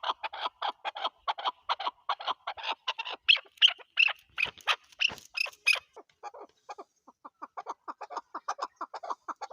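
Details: Chukar partridge, Pakistan's national bird, calling in a fast series of clucks that rise into harsher, higher-pitched notes midway, then fall back to softer, quicker clucking toward the close.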